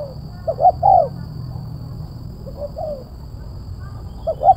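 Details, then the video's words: Spotted dove with a sharp, crisp kuk 1 voice: one loud phrase of two short notes and a falling coo, a fainter distant coo, then the start of another phrase over low rumble. "TEKUKUR SUARA MERSIK TAJAM,RAPAT //KUK 1//"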